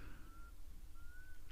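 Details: Black cuckoo (Cuculus clamosus) calling in the background in summer, 14 January 2023: two drawn-out, mournful whistled notes, faint and distant, over a steady low rumble.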